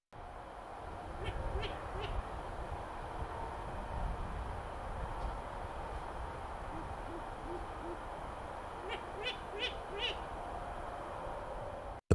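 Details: Long-eared Owl (Asio otus) in the British Isles giving its soft, low 'hoo-hoo' hoots in short runs, faint against a steady hiss, with a few brief higher ticks or chirps.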